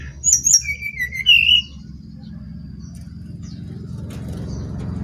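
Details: Brown-chested jungle flycatcher from Bali singing: a short phrase of clear whistled notes, high then sliding down and back up, over a steady low engine hum.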